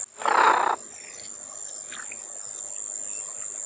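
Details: American white ibis (Eudocimus albus) calling: a single harsh, hoarse honk lasting about half a second, then a steady high insect-like drone with a few faint chirps.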